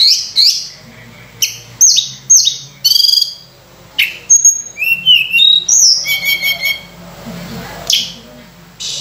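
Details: Sunda robin singing loudly with a richly varied repertoire, meant as a lure for training other birds; choppy bursts of high whistles, downslurs and sharp squeaky notes separated by short pauses, a steady low hum behind.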